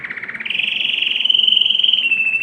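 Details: Singing canary, meant to stimulate females for mating, delivering one sustained rolling trill that rises slightly in pitch after half a second and holds steady and loud to the end.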